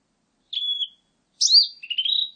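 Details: Blue-and-white flycatcher recorded in 2020, giving a level whistled note, a pause, then a bright descending whistle running into a quick low warbling trill.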